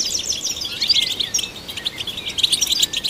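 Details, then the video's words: European goldfinch song, played to stimulate goldfinches. Fast, jingling twitter with a couple of liquid, sliding whistles and dense clusters of short high notes. "Golden Songbird vocal performance to stimulate the goldfinch"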